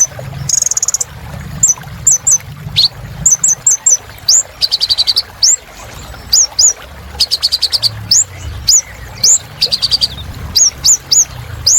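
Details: Van Hasselt's sunbird (Kolibri Ninja) singing vigorously, used as therapy to get silent caged birds singing again: sharp, high, upward-swept whistled notes alternating with short rapid buzzy trill bursts, repeated throughout over a low background hum.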